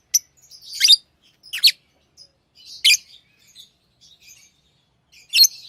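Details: Pet lovebirds chirping with scratchy, squeaky notes at irregular intervals, interspersed with faint soft twittering.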